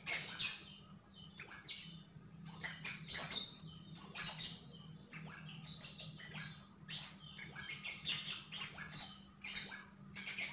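A Javan grey-throated white-eye sings lively bursts of high, chattering chirps and twitters in quick phrases, with a faint steady low hum behind.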